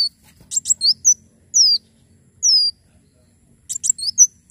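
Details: Javan sunbird in full, lively song, used as a tutor recording and to prompt other birds to sing: high, thin, sharp chirps in quick bursts mixed with clear descending whistled slurs, separated by short pauses, with faint low background hum.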